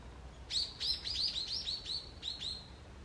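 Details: Wild birds in a forest on an early autumn morning: a quick run of about nine sharp, high chirps, each sliding down, repeated roughly every quarter second for two and a half seconds over a faint low rumble.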